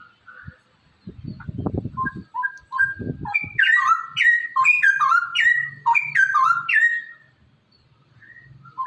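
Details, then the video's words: Caged straw-headed bulbul whose song serves to stimulate other caged birds: a few soft whistles and low rumbling knocks, then a loud, rich run of bubbling, slurred whistled notes, fading to faint sounds. "merangsang cucak rowo malas bunyi agar rajin bunyi"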